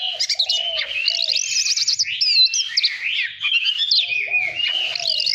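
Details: Oriental magpie-robin voice-training song to spur competitive singing: continuous rich warbling of high slurred whistles and trills, with repeated soft low whistled notes in the background.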